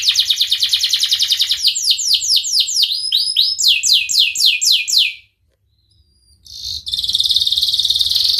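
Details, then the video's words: Canary song for training canaries to sing, in a rich ornate style called cengkok mewah: fast repeated trills of high notes, then a run of downward-sweeping whistled notes, a brief pause, and a dense high twittering burst at the end. "Burung kenari gacor Cengkok Mewah"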